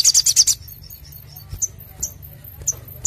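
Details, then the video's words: Spiderhunter recording meant for luring and training: it opens with a short, loud, fast trill of high notes, then fades to a few isolated thin chips spaced about half a second apart. "Sogok ontong Gacor Dor N3mbak Suara Jernih Untuk Pancing Bunyi & Masteran"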